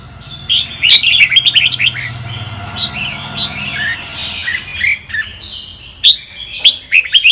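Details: A red-whiskered bulbul gives Sông Kon style song meant for training other birds: rapid chattering notes at first, then steadier looping whistled phrases, with scattered sharp clicks and a soft low hum.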